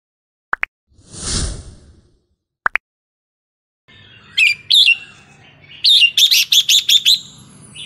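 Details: Red-whiskered bulbul in Burmese-style song (เพลงถิ่นพม่า, 3-4-5-6), used to train young birds. Two faint clicks and a soft whooshing burst come first, then after a silence rapid bubbly whistled phrases, the last a quick series of about six notes.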